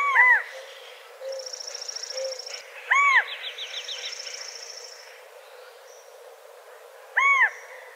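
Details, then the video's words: California quail, natural outdoor sound: a loud arched call near the start, another around three seconds and a third near seven seconds, separated by quieter stretches with a high buzzy trill and a short run of rapid chattering notes from other birds. "California Quail Callipepla californica Sound Bird Song Call, natural sound of"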